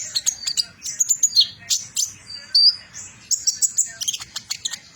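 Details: Fast trotol song from a metallic-mutation Van Hasselt's sunbird: tight clusters of high ticking chirps and squeaky slurs, one clearer whistled note near the middle, then another rapid burst.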